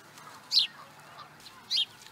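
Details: Osprey in Charlo, Montana, USA, 2017: a pair of brief, shrill, falling whistles about a second apart against a quiet hiss.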